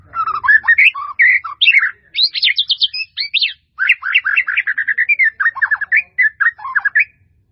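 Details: White-rumped shama in full training song with varied fill-in phrases: nearly continuous quick chirps, warbles and buzzy trills, with short pauses between rapid bursts.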